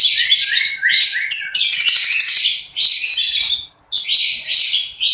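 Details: Long-tailed shrike in full voice, mixing mimicked fill-ins with harsh notes and fast rolling shots; stuttering high notes lead into a dense rattling trill, then more buzzy phrases after a short silence.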